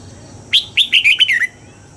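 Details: Red-whiskered bulbul kept for song training at dawn, pushed toward a wild double-note style; one loud phrase opens with a bright whistled note, then a rapid chain of liquid slurred notes that drops in pitch.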